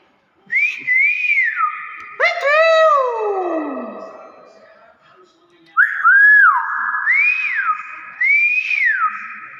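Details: Nias hill myna giving loud, clear whistled phrases: rising-falling wavy notes, a long downward slide, then arched whistles repeated in two bursts, mimicry-like and piercing in a quiet room.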